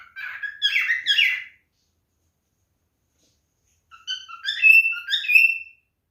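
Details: Male cockatiel in mating behaviour, a short burst of warbled chirps, a silence of over two seconds, then a phrase of varied whistled notes.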